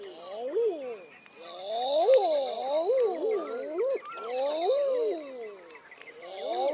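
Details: Common eiders give a steady chorus of overlapping crooning calls, smooth arched coos that rise and fall, repeated every second or so, with a thin high background hiss throughout.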